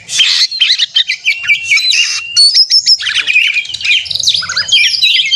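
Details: Fighting song of a white-rumped shama meant to make other shamas sing aggressively: rapid bursts of sharp chirps, clear whistles and trills at high pitch, separated by short gaps, with a faint low hum beneath.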